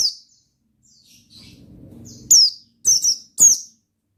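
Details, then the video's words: Oriental white-eye singing ngalas style, three loud, shrill, falling chirps in quick succession after a short quiet stretch with a faint low murmur. "Suara Bikin Pleci Gacor Ngalas Dengan Burung Pleci Gacor NGALAS INI"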